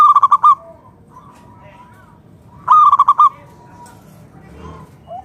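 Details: Wild local zebra dove singing vigorously to prompt other doves to sing back: two fast pulsed cooing phrases with soft lingering tails, and faint lower coos near the end.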